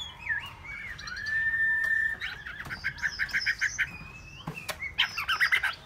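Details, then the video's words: Hwamei singing a long drawn whistle, then a series of quick rattling notes, a short gap with a sharp click, and another burst of fast chattering phrases. "họa mi"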